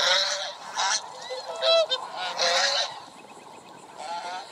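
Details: White and black swans giving nasal, honking calls in short bursts, several overlapping, with a few higher squeaky notes between them.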